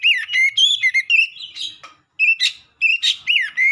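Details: Strong, loud singing by a black-breasted oriental magpie-robin: varied rich whistles leaping up and down, interrupted by harsh, buzzy rasps and brief pauses.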